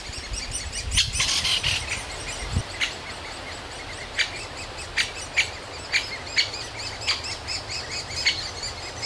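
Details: Great spotted woodpecker young begging for food from a nest cavity in an old aspen while both parents bring food: scattered sharp high chirps, irregular, with one louder burst early, over faint background noise.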